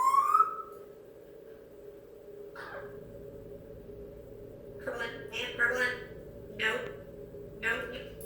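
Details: Female African grey parrot kept as a pet indoors, excited and restless just after coming home from a friend's house, noisy rather than talkative: a short rising whistle opens, then a silence, then a run of harsh, speech-like squawking bursts, over a steady room hum.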